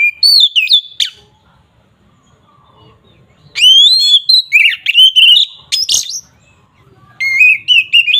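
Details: Oriental magpie-robin (kacer) agitated 'ngeplong' song used as a lure to anger rival birds; loud slurred whistles and rapid warbled phrases in bursts, including a long rising whistle, with silent gaps between bursts.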